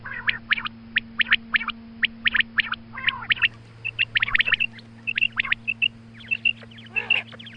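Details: Female quail calling around dawn, used as a hunting lure call, gives quick, sharp chirps in pairs and short clusters, several per second, then clearer whistled notes, over a low steady electrical hum.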